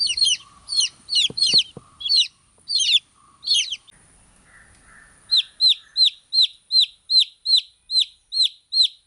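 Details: Baby chicks peeping: irregular high chirps at first with a few soft clicks and faint background noise, then a steady run of clear, downward-sliding peeps repeated about every half second.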